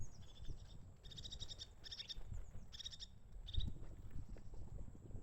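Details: Crested tit in winter giving repeated buzzy, purring trill calls, four or five short rattled bursts spaced about a second apart, each with a thin high lead-in, over constant low-pitched background rumble.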